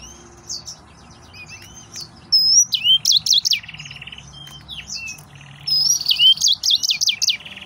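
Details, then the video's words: Song of an agitated male yellow-fronted canary: scattered high chirps build into a fast warbling run of looping whistles and buzzy trills, then a second energetic phrase near the end, with steady low background hum. "تغريد مرعب سورا الموزمبيقي بسبوس كنار الياسمين موزمبيق موزنبيق"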